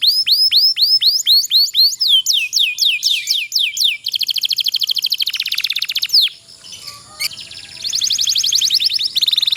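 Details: Canary song used to coax lazy canaries into singing: looping rising whistles, then fast falling sweeps and long dense buzzy trills, with a short break before the trilling resumes.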